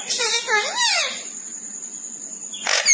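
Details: A talking pet parrot says "Mian Mithu choori khani aye" (Mian Mithu wants to eat choori) in a high, wavering, nasal voice lasting about a second, then a thin steady whine and a brief noisy burst follow.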